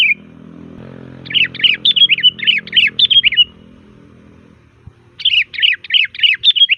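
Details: Sooty-headed bulbul singing in loud varied style as a lure: long rapid series of chattering chirps, a pause, then another fast run, over a low hum at first.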